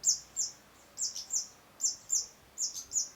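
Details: Long-tailed shrike song used as masteran training audio: short, high, bright chirps in pairs, sharply rising then falling, repeated roughly every half second over a quiet background.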